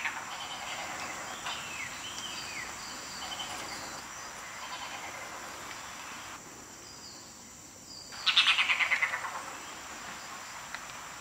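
Red-bearded bee-eater: soft scattered chatter, then a loud, quick burst of about ten harsh notes tumbling downward in pitch. A steady high insect hiss runs throughout.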